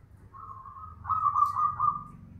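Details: Loud manggung coo of a local bedah karang zebra dove, said to be audible kilometres away: a short level hoot, then a longer, stronger wavering tone that fades out, with low rumbling behind.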